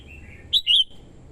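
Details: Female red-whiskered bulbul singing to stimulate males and lure wild birds: a single brief phrase of two clear, bright whistled notes, the second longer and slightly lower, over a quiet background.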